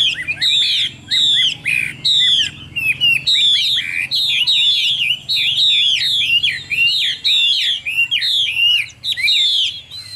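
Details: Chinese hwamei sings a loud, rich run of clear whistles and slurred rising and falling notes, phrases tumbling quickly one after another with brief pauses.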